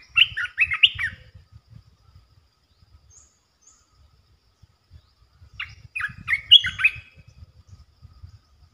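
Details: Red-eyed bulbul, the local territory holder, calling: two bursts of quick, bubbly warbled notes about six seconds apart, with low rustling noise between them.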